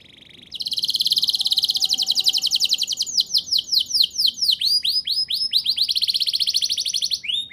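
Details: Canary singing in a fast rolling style, used to prompt young canaries to sing: a soft note, then long rapid trills of high repeated syllables shifting into slower rising sweeps and back to a fast roll.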